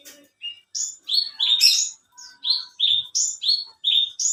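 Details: Caged contest bush lark (branjangan, alinea) in full voice: a soft note, then varied rising whistles around a dense buzzy burst, followed by evenly paced short upslurred notes.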